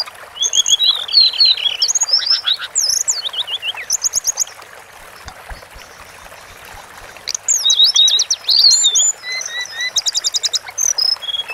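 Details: A Sunda forktail sings in a long training session: bursts of rapid, very high rattling trills and down-slurred whistles, a quiet pause of about three seconds, then more fast ticking trills. A faint watery hiss lies behind.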